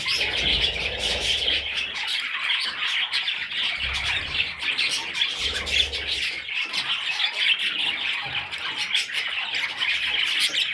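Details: Nestling parrots producing a constant, shrill, scratchy chorus of chirps and squawks, with repeated dull low thuds of handling underneath.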